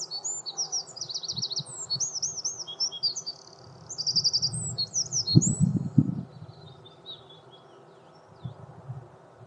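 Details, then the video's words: Wren singing: a rapid high-pitched outpouring of trills and sharp chattering notes, with a low rumbling background noise that swells midway through. "Wren singing"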